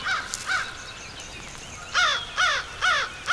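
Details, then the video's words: American crow calling close by from a perch near a hidden observer's blind in Shiawassee County, Michigan, on 5/11/14; harsh, hoarse caws, a pair near the start, then a run of four evenly spaced about every half second. "Crow Calling Close-Up"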